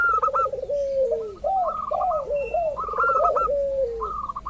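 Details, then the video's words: Local zebra dove calling as a lure for rival birds: trilled, rolling low coos and swooping slurred notes under quick staccato series, with several doves overlapping continuously. "pancingan burung perkutut lokal ampuh , perkutut lokal jago memancing lawan bunyi"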